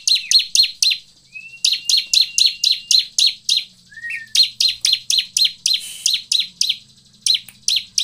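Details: Bar-winged prinia song used as a lure to get other prinias singing: rapid series of sharp, high descending chips, about four per second, in bursts separated by short pauses, with a few thin slurred whistles between.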